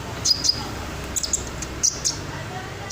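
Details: Red sunbird in ngobra style, a master recording for training other songbirds: short, very high, sharp chip notes given singly or in pairs at irregular intervals over faint low background noise.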